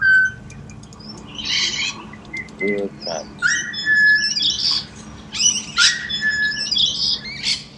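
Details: Pied butcherbird serenading in Australia: clear fluted whistles at a low to middle pitch, some gliding downward, interleaved with harsher, higher chirpy and buzzy phrases in an irregular, varied run of notes.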